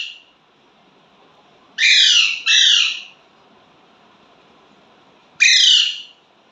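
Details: A pet Indian ringneck (rose-ringed) parakeet gives three loud, harsh, downward-sliding squawks: two close together, then one more about three seconds later, over a quiet background.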